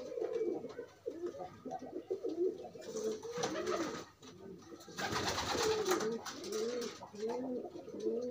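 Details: Pairing pigeons out of their cage coo continuously in short arched low notes, while two bursts of broad rustling noise, like wing flapping, break in around the middle.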